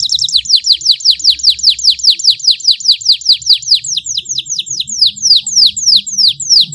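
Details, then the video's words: Canary training song with ornate long phrases: a loud, steady series of sharp descending high chips, about two to three each second, with the pace slowing slightly and the notes spreading apart toward the end. "MASTERAN KENARI FULL TEMBAKAN PEDES CENGKOK MEWAH DURASI PANJANG"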